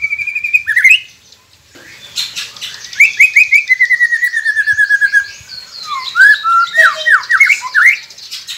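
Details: Song of a white-rumped shama, played to prompt captive birds to start singing: a steady whistle, rapid chattering runs of slurred notes repeated about three per second, and varied rising phrases.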